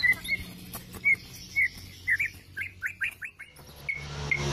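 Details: White-rumped shama from Borneo, in breeding condition, singing ngelowo style while pecking a hand: short bright whistles about once a second, then a quick run of falling whistled notes, with a hum underneath.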